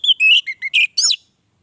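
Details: A short, loud phrase by an orange-headed thrush: slurred whistles stepping downward and up again, ending in a high bright flourish, with no other sounds.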